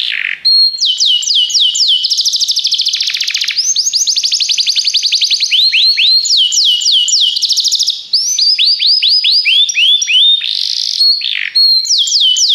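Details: Belgian canary singing as training song: a loud, continuous run of rapid rising and falling whistled trills, with a dense buzzy rolling passage near the middle and brief pauses around one and eight seconds.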